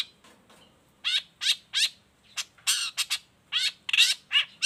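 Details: Harsh, grating notes from a long-tailed shrike used as a master model and a lure for other shrikes, given in uneven bursts several times per second after a quiet start.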